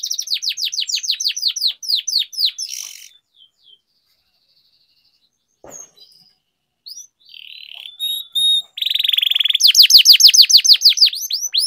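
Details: Rolling canary song meant to spur other canaries to sing: rapid falling notes repeated several times a second, a quiet gap with scattered chirps, then a buzzy trill and another fast burst of sweeping notes.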